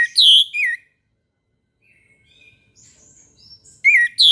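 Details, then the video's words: Orange-headed thrush singing in the morning: a loud, bright three-note phrase sweeping between high and mid pitch opens the recording, a quiet pause with faint distant twitters follows, and the same phrase starts again at the end. "PANCINGAN ANIS MERAH TERBARU 2022 | BURUNG MACET LANGSUNG IKUT NGEMPLONG"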